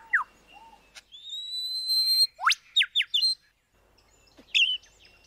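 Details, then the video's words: Lyrebird mimicry with varied pieces: a falling whistle, a long, high, pure drawn-out tone, a steep rising sweep, then a few crisp downslurred notes and a last bright chirp. "Listen To The Amazing Sounds Of The Lyrebird"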